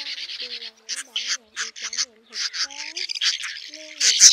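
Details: Male and female swiftlets summon the flock to roost in this lure sound; short grating buzzes in separate bursts, ending in a louder harsh burst.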